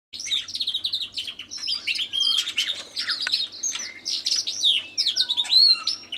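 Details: Recently bought canary singing in competition with a tui in the background: dense, varied warbling of fast trills, rising and falling whistles and chirps, running almost without pause.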